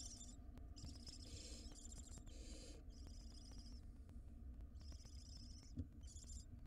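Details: Wild barn owl at a monitored nest box as the mother brings a ring-necked parakeet as prey: harsh, hissing screeches in long bursts, repeated back to back with short gaps, over a low steady hum.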